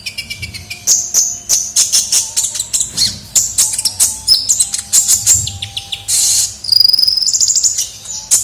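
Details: Lure sound of a sunbird (kolibri ninja) singing vigorously: rapid high chirps, thin whistled notes and a rattling buzzy trill near the end, with a faint steady low hum underneath.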